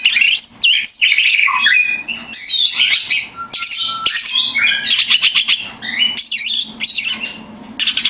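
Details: Champion oriental magpie-robin in vigorous song, played to train kept magpie-robins: a rich, varied stream of sweeping whistles, chatter and rapid trills, with a short steady low whistle midway.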